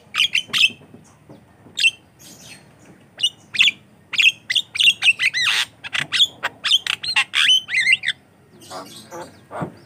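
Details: Javan myna song for luring and training other mynas, a busy mix of shrill whistles, rasping squawks and clicks in quick bursts, fading to low scratchy notes at the end.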